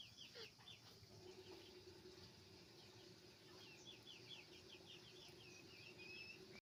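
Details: A chicken farm full of roosters and hens: many birds give short, high, falling chirps in fast, overlapping series throughout, above a steady mid-pitched drone and low machine hum.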